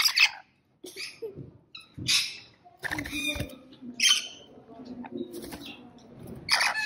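Rainbow lorikeets give harsh, screechy bursts and chattering squawks at irregular intervals, with a faint low hum running underneath.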